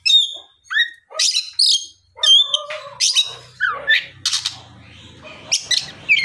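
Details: Oriental magpie-robin singing in the afternoon to stir rival magpie-robins into song, with clear whistled notes, downslurs and scratchy chatter, plus a faint low hum in the background.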